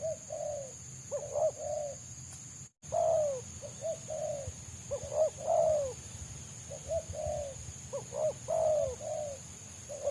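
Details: Wild spotted dove singing in the close, rapid 'selang nguku' style prized by trappers. Repeated phrases of short coos ending in a drawn-out rolling note, with a brief dropout near three seconds and a constant high-pitched hum behind.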